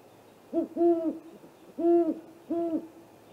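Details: Great horned owl pair visiting a great gray owl snag tree nest at night, 8:50 pm in April, recorded by a nest camera: deep steady hoots, one long and two shorter, spaced about a second apart, over quiet background.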